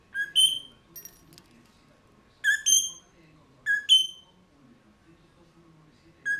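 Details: Caged mulga parrots recorded at 09:28 on 18 November 2014 with a GoPro Hero 3+ placed inside their cage; clear whistled paired notes with bright overtones, given in short bursts about every one to two seconds, over a low background hum.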